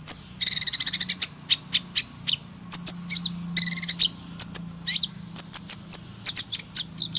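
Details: Rapid high-pitched sunbird song: fast rattled trills alternate with sharp doubled chips and short slurred notes, delivered almost without pause.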